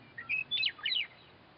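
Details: A western meadowlark sings from a roadside fence: a short whistled note, then a quick jumble of bright, gurgling notes tumbling downward, with another meadowlark calling back in the background and faint hiss.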